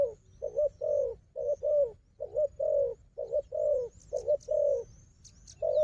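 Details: Wild dove noted as a strong fighter, with a strong decoy bird: hoarse, mid-pitched coos in short bursts, often paired, about one per second, while faint thin high whistles sound above.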